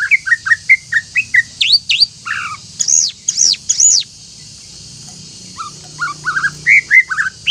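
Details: Greater green leafbird singing to provoke rival birds; rapid repeated whistled notes, then high sweeping upslurs and buzzy notes, a brief gap, and another burst of quick slurred whistles, over a steady low hum.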